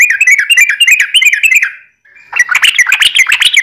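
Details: Energetic yellow-vented bulbul song played as a lure to prompt other bulbuls to sing. A fast, chattering string of warbled, bubbling notes breaks off briefly, then resumes even louder and denser.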